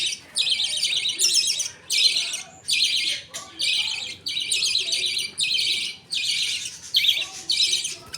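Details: Budgie colony at feeding time, a father budgerigar feeding two chicks as the mother looks on and other birds wait their turn. Rasping, noisy bursts of about half a second come in a steady run with brief gaps.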